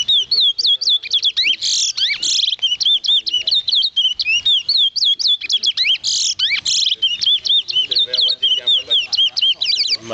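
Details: Lesser seed finch, called towa towa, a caged songbird in a friend's home in Clonbrook, Guyana, January 2008. It sings a loud, continuous stream of quick whistled slurs, some rising and some falling, with brief buzzy bursts throughout.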